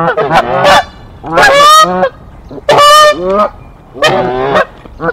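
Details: A Canada goose pair at their Decorah nest fighting off an intruding goose on 1 April 2024, giving loud drawn-out rising honks, about four in five seconds, harsh and strongly harmonic.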